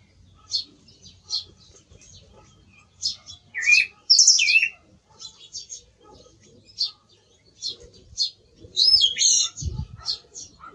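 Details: Song thrush: sparse, clipped high notes spaced about a second apart, broken by two louder twisting whistled phrases, with a thump near the end.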